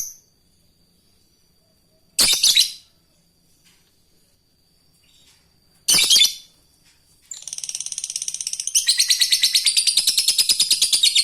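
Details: Fighter lovebird calling an opponent, then ngekek, used for training young lovebirds. Two harsh squawks separated by silence give way to a fast, buzzy, stuttering chatter that builds steadily louder.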